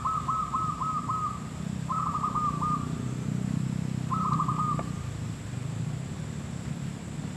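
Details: Zebra dove, locally called perkutut or merbuk, at a trapping site: three bursts of rapid, bubbling staccato coos on a steady mid pitch, each phrase falling slightly at its end, over a constant low rumble and a high steady hiss.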